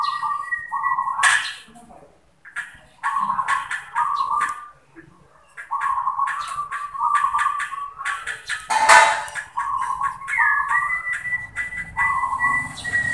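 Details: Perkutut, the zebra dove, in manggung song: repeated short rolling trilled phrases, several in a row, with clicks, knocks and faint voices in the background.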